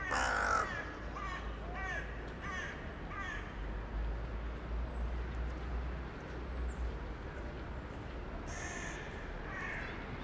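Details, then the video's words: Crow living in a town centre, in the evening on 2021-1-23, communicating with other crows flying in for the night; a loud harsh call at the start, then faint, distant, hoarse caws over a steady low rumble. "a short time with a crow in the evening"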